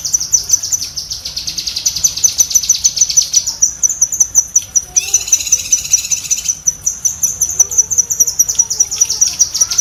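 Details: Cucak kinoi bulbul chatter, kept as master audio for songbirds: high ticking notes in a fast unbroken series, with a brief burst of harsher, broader buzzing in the middle before the clean ticks resume.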